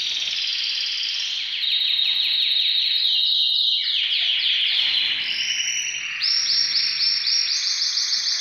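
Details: Canaries in breeding condition pour out a loud, continuous song of rapid high trills, rolling tours that step down in pitch, then rise to sharp repeated chirping phrases near the end.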